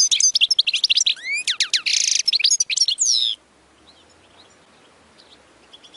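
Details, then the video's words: European goldfinch song meant for tutoring young goldfinches learning to sing: about three seconds of rapid tinkling twitter, liquid chirps and upward-sweeping whistles, then near silence with only faint distant ticks until a last note at the end. "اقوى تغريد لتسميع فراخ الحسون خالي من الاخطاء"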